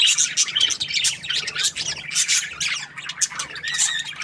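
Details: Happy budgerigar chatter: quick bursts of high, scratchy warbling and sharp chirps, with a few short whistled notes toward the end.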